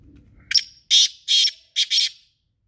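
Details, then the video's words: Black francolin (kala teetar) giving its harsh, grating call: a short sharp opening note followed by four loud rasping notes, the last two closely paired, all within about two seconds, then silence. "Kala Teetar Ki Awaz | Kala Teetar Voice | Kala Teetar Sound"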